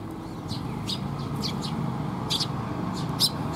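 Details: Sparrows arriving for food at a Tenmangū shrine give a handful of sharp, high chirps, singly and in little pairs, spaced unevenly over a low continuous hum of traffic.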